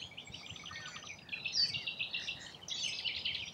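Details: In Australia, a group of rainbow lorikeets squabbles while feeding. Continuous high, buzzy screeching swells and fades, with a thin whistled note near the middle and a louder burst of chatter toward the end.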